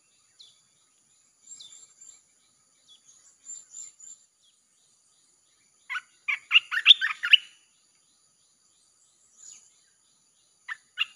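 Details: Red-whiskered bulbul, played to draw in wild birds, giving scattered soft chirps, then a loud rapid burst of bright warbled notes in the middle, and a few short notes near the end, with quiet pauses between.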